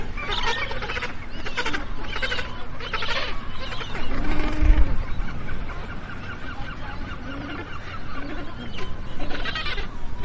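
Magellanic penguins give harsh, honking, donkey-like brays in repeated bursts, several birds overlapping, over a steady low rumble of wind or surf.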